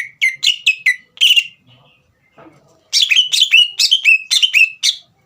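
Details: Singing caged green leafbird, played to excite a young bird into singing: a burst of sharp, bright whistled notes, a brief pause with faint rustling, then a fast series of descending whistled phrases.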